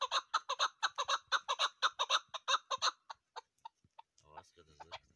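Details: Female chukar partridge, a recording used for hunting, gives rapid, harsh clucking chuck notes, about two per second, slowing and fading out, followed by faint speech-like sounds.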